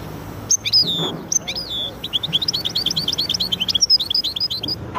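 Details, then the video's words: Hybrid of goldfinch and canary opening with long sliding whistles that drop in pitch, followed by a fast, even series of high chirped notes and more whistles, with quiet hum underneath. "هجين ويداني ممتاز"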